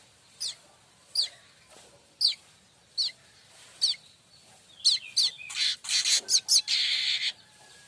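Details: Manyar kembang, the streaked weaver, as tutor song for kacer and murai batu birds: evenly spaced sharp descending chips roughly every second, then a crowded burst of chips and hissing buzzy phrases.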